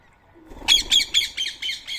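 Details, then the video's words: Rose-ringed parakeet at a morning feeding of soaked boiled rice, Coimbatore, 7 AM, 31 March 2024: six loud, harsh, grating screeches repeated in quick succession, roughly four per second, with nearly silent surroundings. "Indian Ring Neck Parrot Food Feeding Day 134"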